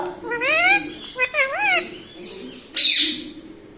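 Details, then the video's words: Indian ringneck talking parrot laughing. Drawn-out nasal wavering notes rise and fall, followed by a short breathy hiss-like burst. "Hasne Wala Tota || laughing mitthu || Talking Parrot"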